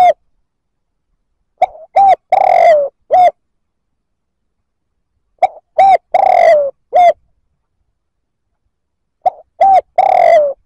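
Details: Spotted dove cooing to provoke other males, three repeated phrases roughly four seconds apart, each a quick soft note, a clear coo, a long slightly descending coo and a final short coo, in a quiet setting.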